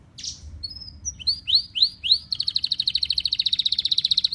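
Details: Canary song used to train other canaries to sing at home: a few separate whistled and upslurred notes, then a long, even, rapid high trill of repeated pulses.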